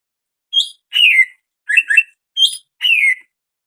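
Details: Greater green leafbird giving strange calls: five short bright phrases in about three seconds, alternating high thin notes with lower slurred descending chirps, clean background.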